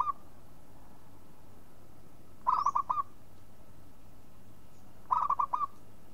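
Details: Local zebra dove call: repeated phrases of rapid stuttering coos about every two and a half seconds, each five or so pulsed notes with the last slightly drawn out, over a constant low rumble.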